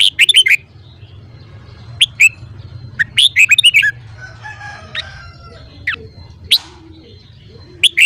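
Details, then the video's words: Red-whiskered bulbul morning song for voice training: several quick clusters of sharp whistled notes scattered through the recording, with a softer, more distant chattering and steady low hum in the background. "Luyện giọng chào mào hót sáng"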